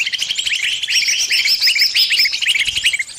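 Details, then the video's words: A caught bird calls for help amid answering birds: a fast run of short, sharp high chirps over a string of thin, evenly spaced upper whistles. "Suara burung kejepit & mintatolong ke teman teman nya"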